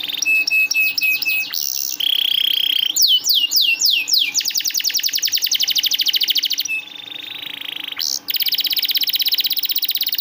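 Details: Diligent canary song used as a lure for canaries that rarely sing: high whistled notes, a steady tone, rolling swept tours, then a long rapid trill and a final fast rattling roll.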